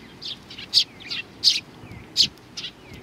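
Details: Sparrows coming to be fed at Tenmangu, Nakanoshima, 21 June 2020; sharp high chirps about every half second to second, interleaved with softer slurred notes.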